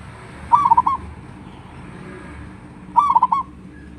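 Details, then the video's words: During the rainy season a local zebra dove kept in a cage sings two short trilled phrases of rapid, mellow cooing notes separated by roughly two and a half seconds of quiet hum. "perkutut lokal masih gacor di musim hujan"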